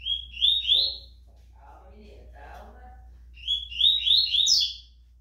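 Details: Caged Rusty-collared seedeater, a contest bird awaiting the return of tournaments, delivers fast high chirping phrases at start and end, with a person talking softly between them.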